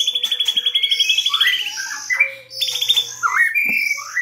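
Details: White-rumped shama singing as a trapping lure: rapid, even trills broken by rich slurred whistles and sharp rising notes, phrases repeating about every two seconds over a faint steady hum.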